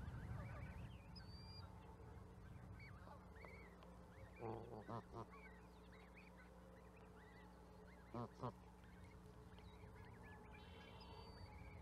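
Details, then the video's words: Canada goose calling: a few short, nasal honks in pairs stand out against a steady low hum and a busy background of distant chirping and other bird notes. "Канадский гусь, или казарка. Canadian goose, or kazarka."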